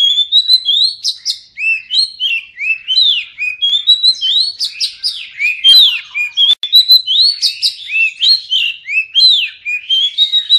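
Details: Oriental magpie-robin singing a long, rich passage, meant to prompt silent birds to sing: rapid whistled slurs, chirps and high piercing notes tumbling together with barely any pause.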